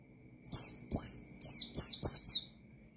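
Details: Oriental white-eye giving a short provoking ngalas phrase aimed at rival birds: about six high, slurred, downward chirps packed into two seconds, with a low steady hum beneath.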